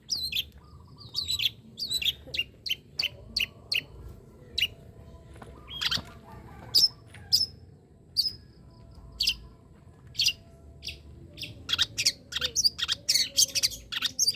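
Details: Long-tailed shrike song used as training material for songbirds: a long run of sharp, clicking and chattering high notes in irregular clusters, denser toward the end, over a faint low background hum.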